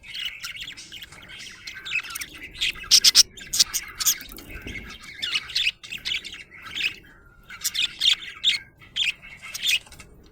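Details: Happy pet budgerigar chirping: dense bursts of sharp, scratchy chirps and warbled squawks, with short pauses between rapid clusters of notes.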